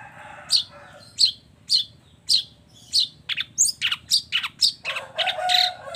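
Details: Long-tailed shrike in full song with mimicry fill-ins: evenly spaced harsh chips that quicken into a rapid run of varied squeaky notes, ending in a broad, noisy rasp.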